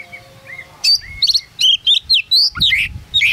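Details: Champion magpie-robin singing in its hanging cage at a bird competition in Singkawang; soft low whistle first, then a fast string of loud, varied high whistles and rattling notes, with faint crowd murmur beneath.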